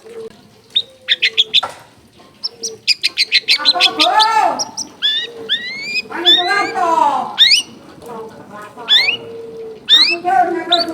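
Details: Energetic long-tailed shrike singing a mimicry-filled song: a run of quick sharp clicks, then loud harsh swooping notes, rising whistles and rasping phrases in varied, closely spaced bursts.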